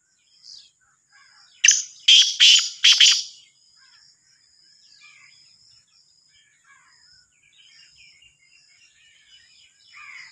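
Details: Black francolin, known as Sindhi kala teetar, gives a loud, harsh call of four grating, buzzy notes in quick succession. Faint chirps of other small birds continue in the background before and after.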